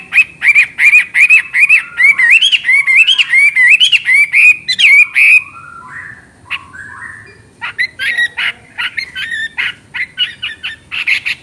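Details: Chinese hwamei in full ngoceh song, described as crystal-clear: about five seconds of rapid, bright, looping whistles, a short lull with a few lower notes, then another burst of sharp, varied whistled phrases.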